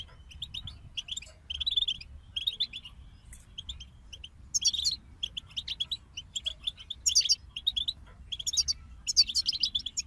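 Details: Singing European goldfinches: short phrases of tinkling, liquid twitters alternate with bursts of sharp, very high chips, repeated every second or two, with quiet gaps between phrases.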